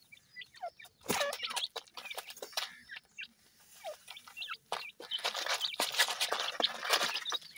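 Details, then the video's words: Feeding grey francolin chicks aged seven days give quick, high chirps, some rising, some falling, in loose bursts over loud rustling and pecking noise that swells in the second half. "Voice of Gray Francolin Pheasant bird Chicks"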